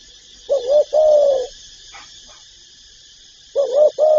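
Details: Deep cooing of a spotted dove, part of its full calling repertoire: two phrases three seconds apart, each a stuttered double coo then a drawn-out note, a brief click between, steady hiss behind.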